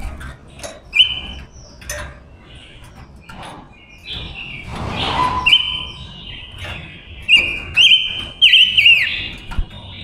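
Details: Decoy female silver-eared mesia singing to lure wild males into a trap: scattered clicks and chips, then clear level whistles and a closing burst of twisting warbled notes.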